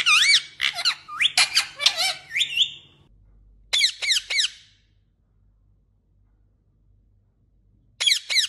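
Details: Green Indian ringneck parakeet, described as a talking bird, giving shrill, squeaky, rapidly warbling calls in quick bursts for about three seconds. Three sharp chirps follow, then a pause. A final cluster of high squeaks closes the recording against a quiet background.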